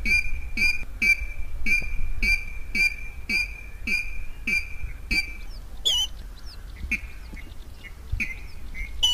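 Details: Water rail calling, used as a lure for catching birds: a steady series of short, sharp, nasal notes, about two per second, followed by a few looser, higher squeals, over a low rumbling background hum.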